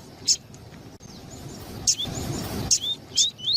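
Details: A female Double-collared seedeater (Sporophila caerulescens) calls a lot, which is used to excite males: short, high chirps and thin rising whistles, a few per second, over a low background murmur.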